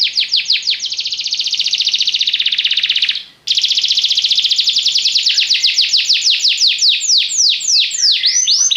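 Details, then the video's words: A yellow Belgian canary sings swooping notes that merge into a dense buzzy trill, pauses briefly, then resumes with a rolling trill that slows into wide swoops. "canário belga amarelo se destacando no canto, gogo de ouro"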